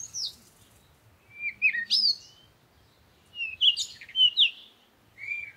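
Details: Sharp whistled slurs and squeaky chirps from a parakeet, some notes sweeping up then down, coming in short clustered phrases with brief gaps.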